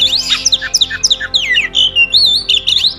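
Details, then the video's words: Kacer, the oriental magpie-robin, pouring out fast, varied song: sweeping whistles, rising and falling slurs and scratchy squawk-like notes run together in quick succession, high and bright, faint background hum. "burung kacer ajaib"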